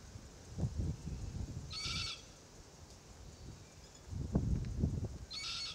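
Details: Threatened Forest Red-tailed Black-Cockatoo immature, perched in a Marri tree, repeats a rasping high squeal twice while the adult pair noisily crack green gumnuts with their bills, giving bursts of low crunching.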